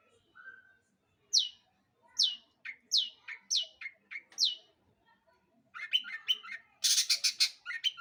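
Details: Lure song of a long-tailed shrike meant to make other birds sing: a short whistle, then spaced, sharply descending high notes, ending in loud harsh scratchy bursts and chatter.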